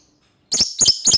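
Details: Lovebird calling out to a rival: after a short silence, three harsh, shrill shrieks follow one another at roughly quarter-second intervals.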